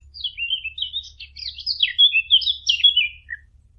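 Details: Fig bird, a call used as a hunting lure: a quick, scratchy twittering run of varied high chirps and short slurred whistles, about three notes a second, ending in a lone lower note.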